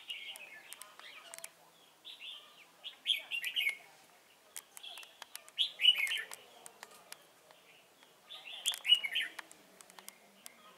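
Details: Red-whiskered bulbul decoy in a trapping setup at Chùa Hương, recorded 28 November 2017, singing loud cheerful warbled phrases of a few notes each, repeated every two to three seconds, with sharp clicks and taps between them.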